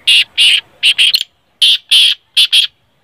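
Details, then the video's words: Black francolin (kala teetar) gives harsh, grating notes in two ratchety phrases of about four bursts each, separated by a short pause; call used to prompt other francolins to sing. "kale teetarr ki Awaz"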